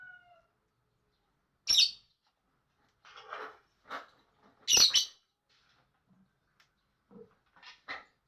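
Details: Lovebird chatter: scattered harsh, scratchy squawks and short buzzy chirps separated by silent gaps of about a second, a few louder rasping bursts, in an otherwise quiet setting.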